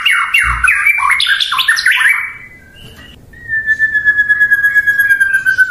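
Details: White-rumped shama song used to draw a rival's reply: a rapid tumbling burst of varied slurred notes, a pause, then a long, even, steady whistle held for over two seconds.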